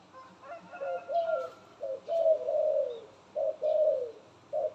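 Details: A pet dove cooing well: low, soft, mellow coo notes, short ones followed by longer drawn-out falling coos, repeated in phrases about every two seconds, with quiet background.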